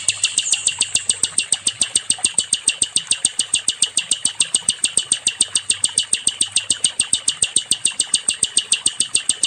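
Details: Nightingale, called sikatan londo, used to train other songbirds: an unbroken, machine-like trill of crisp high clicks repeated steadily, more than two per second, for the whole stretch.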